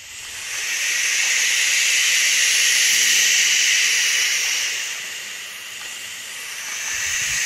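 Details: American barn owl (Tyto furcata), hiss.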